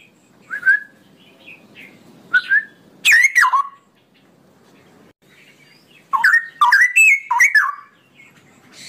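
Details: Straw-headed bulbul in long ropelan song: short whistled notes at first, then a loud rush of rolling, liquid warbles, followed by a dense cluster of bright gurgled phrases near the end.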